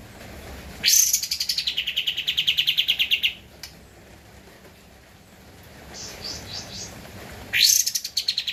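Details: Javan white-eye (kapas tembak) on a master recording for training cage birds, singing energetically: a fast high trill of steady pulsed notes lasting over two seconds, faint brief chirps, then another trill starting abruptly.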